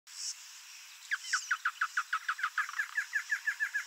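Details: Male double-collared seedeater singing in the wild: a high hiss-like note, then a fast series of about fifteen short, clear downslurred notes, evenly spaced and quickening slightly toward the end, over faint background hiss.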